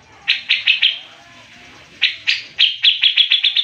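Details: A grey-cheeked bulbul in a training recording for other birds gives rapid, dense, sharp, high chips in bursts, about four per second, with a pause between phrases. No other sounds are heard.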